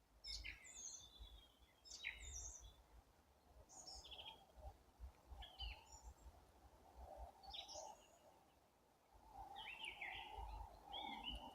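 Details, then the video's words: Birds gradually warming up their songs in April: scattered bright chirps and short twittering phrases spread across the recording, over a continuous low outdoor rumble. "Апрель: птицы потихоньку распеваются"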